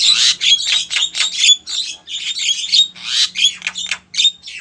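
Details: Female Javan myna calling for a male, producing continuous harsh, buzzy and squeaky high chatter in rapid irregular bursts, with a faint low hum underneath.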